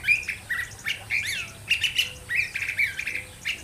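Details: Curve-billed thrasher singing a nonstop run of varied, harsh, scratchy, bright and squawky phrases, each changing quickly into the next with barely a pause.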